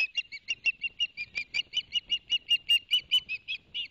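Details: Osprey at a Barnegat Light nest, recorded by live cam on 11 September 2021 as the male delivers two fish for the young: a fast run of short, sharp chirps, about two or three per second, steady throughout.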